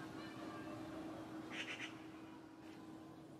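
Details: Alarm chatter of a Eurasian magpie in a courtyard in spring: a short, dry, rasping burst of three quick notes, midway through, over a constant low hum.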